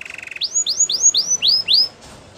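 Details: A Belgian canary sings a short training phrase: a low buzzy roll opens, followed by six evenly spaced, clear upswept whistles, each dropping at the end.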